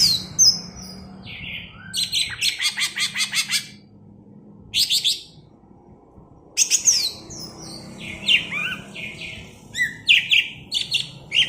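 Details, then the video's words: Greater green leafbird (cucak ijo), Alas Purwo, Banyuwangi, in bebeci song: high slurred whistles, a fast rattle of repeated sharp notes, then varied chirps, descending whistles and ticking notes. "Suara Bebeci Khas Cucak Ijo Alas Purwo Banyuwangi"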